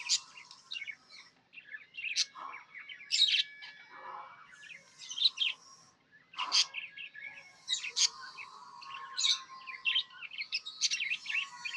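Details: A happy tame budgie keeps up a continuous warble: scratchy chatter mixed with sharp squeaks and a few drawn-out whistled tones, rising in several loud bursts.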